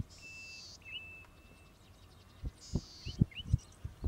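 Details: Golden-headed cisticola in Victoria, Australia, June–July 2013, giving a high, thin buzzy wheeze followed by short, sharp liquid notes, twice in four seconds, over low thumping wind noise.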